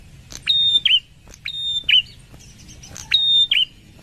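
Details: A wild prinia whistles three times: a click, then a high even note that falls into a short looping slur. Faint scratchy notes from another source sit between the phrases.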